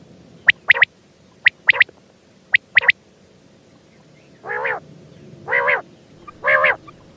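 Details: Quail voice opens with crisp high notes in pairs and triplets. It then shifts to three longer, rising-and-falling nasal bursts about a second apart.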